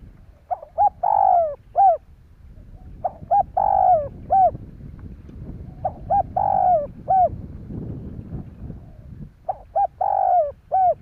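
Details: Spotted dove cooing used to stimulate other doves: low, hollow coo phrases of several quick notes with a longer middle coo, repeated about every three seconds against a faint background rumble.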